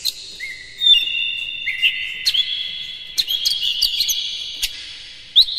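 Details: Oriental magpie-robin singing in the morning, played to stimulate caged birds. Clear falling and level whistles stack into a rich, ringing phrase, broken by quick sharp chips and a final bright note.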